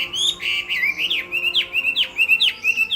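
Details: Chinese hwamei singing in a contest, pouring out bright whistled phrases broken by sharp downward-swooping notes every half second or so, loud and insistent throughout.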